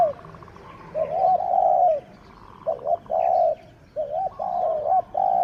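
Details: Decoy spotted dove in captivity in Thailand, the sixth bird used for luring wild doves. Soft, hollow cooing comes in three phrases, each a short note and then a longer sustained wavering coo, with pauses between phrases and quiet surroundings.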